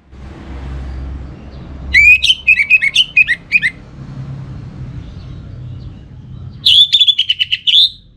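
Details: Orange-headed thrush (anis merah) from Singaraja, Bali, sings lure song in two rich phrases several seconds apart, each a rapid string of ringing, slurred whistles, separated by low background hum.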